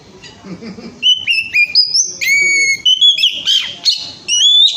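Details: Lure song of an Oriental magpie-robin, lively 'ngemplong' style: clear, loud whistled notes, some long and level, others sweeping up, given in quick succession with short gaps.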